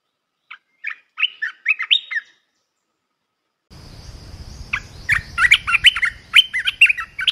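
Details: Red-whiskered bulbul singing a melodious training song for young birds: a crisp warbled phrase, a pause, then a rushing background hiss and a louder, busier series of sharp whistled notes.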